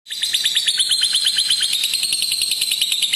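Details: Lovebird giving a long ngekek trill, used as a lure and tutor recording for young lovebirds learning to trill long: a fast, steady, high chattering buzz of rapid clicks repeated about three times a second, unbroken throughout.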